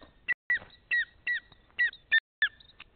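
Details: Greater spotted eagle calling in Nizhnyaya Kama National Park, morning of 14 April 2020: a rapid series of eight sharp, clear yelps, each with a short downward inflection, about three per second.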